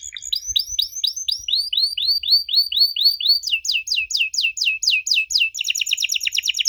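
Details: Canary song meant to make young canaries reply: a series of rising curved whistles repeated about twice a second, then faster steep downslurred notes and a quick high rattling trill at the end.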